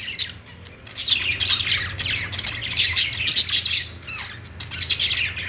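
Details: Budgies making happy sounds, bursts of scratchy warbling and squawky chirps that swell and fade in waves about every two seconds, several birds chattering together.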